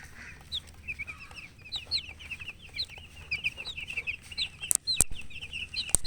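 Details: Chicks chirp steadily, a flock of small birds giving sharp, high, slurred peeps in rapid overlapping succession, broken near the end by a few loud sharp knocks or clicks.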